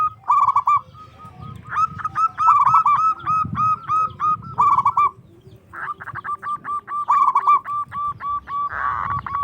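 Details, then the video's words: Local zebra dove singing loudly to goad rivals into answering. There are continuous, overlapping strings of quick clipped coos with rolling bursts, seemingly from several doves, and a soft background murmur. "PERKUTUT LOKAL GQCOR SUARA BESAR LANTANG BIKIN EMOSI LAWAN NYAUT"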